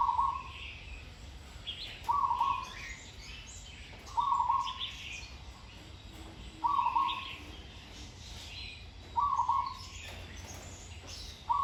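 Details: Zebra dove in training, singing in a pleasing style with a good song pattern: short burbling rolled coo phrases, each about half a second, repeated steadily about every two seconds, six in all, with faint higher chirps from other birds.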